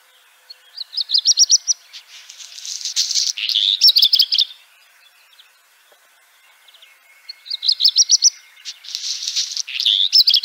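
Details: Black redstart delivering two high phrases several seconds apart, each opening with thin whistled notes, then a scratchy, crackling burst and a quick chattering end, with silence in between.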